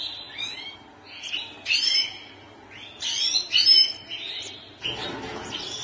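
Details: European goldfinch song: quick liquid twittering phrases of tinkling, rising and falling notes with short pauses, over a low steady background hum.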